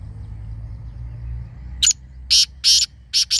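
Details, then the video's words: Black francolin uttering a rasping series of loud, harsh notes, one then two spaced and a final quick pair, after a quiet lead-in with faint low background rumble. "Black Partridge Voice | Kala Teetar Voice | Kala Teetar Ki Awaz"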